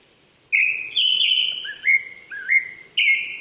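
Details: Japanese thrush singing on an April morning at 800 m elevation in a forest park in Chichibu, Saitama, Japan: loud clear whistled phrases, some sliding and warbled, delivered in bursts about half a second apart.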